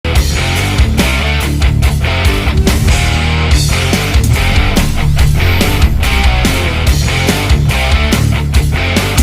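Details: Loud rock music with distorted guitar and steady drum beats fills the whole recording, and no animal voice stands out.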